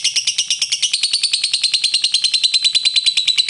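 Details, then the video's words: Caged lovebird in fighter style, giving a long ngekek trill meant to provoke rivals into answering: a rapid, steady chatter of high, harsh notes, roughly three per second in pulses, running without pause through the whole stretch. "Lovebird ngekek fighter,pancingan lovebird ngetik ngekek mantap bikin lawan langsung nyaut"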